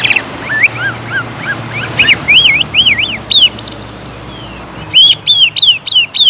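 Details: Greater green leafbird in full, energetic song meant to stir other leafbirds into aggressive singing: looping, wavy whistled phrases repeated in quick succession, mixed with sharp chirps and warbled notes, rising and falling in bright bursts.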